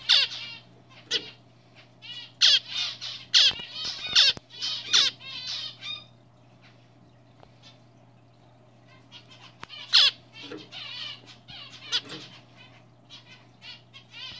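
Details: A young triple-black male zebra finch, black cheek and black face, hatched this year, sings bursts of buzzy, nasal notes mixed with sharp clicks and squeaks.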